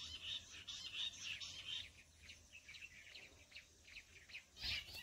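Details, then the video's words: Jungle bush quail call played to lure and catch wild quail: high, scratchy chirping bursts repeated in quick succession, about eighty a minute, uneven in loudness over a soft low background. "Jungli bush batair awaz se jungle batair ko pakadna"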